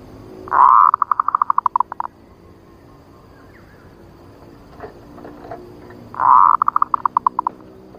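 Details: Female zebra dove (Geopelia striata) lure call gives two bursts six seconds apart, each a strong opening note running into about eight quick, clipped rattling coos at a steady mid pitch.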